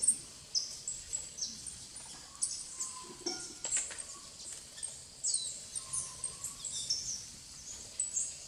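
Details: Plain parakeet (Brotogeris tirica), also called periquito-verde, eating banana at a bird feeder in RPPN Santuário Rã-bugio, Guaramirim, Santa Catarina, Brazil, on 17 June 2022. Faint, thin, very high chirps and sweeps repeat every half second or so, with occasional lower whistles.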